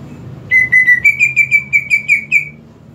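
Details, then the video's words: Lure song of a greater green leafbird for a bird that stays silent: eleven crisp, even whistled notes in a steady run, the first three slightly lower, the rest a touch higher. "PANCINGAN UNTUK CUCAK IJO TAK KUNJUNG BERKICAU"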